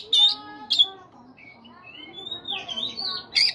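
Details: Oriental magpie-robin in the morning, played to encourage caged birds to sing: two sharp, loud squawking bursts, a stretch of soft, sliding whistles and quiet tones, then another harsh burst at the end.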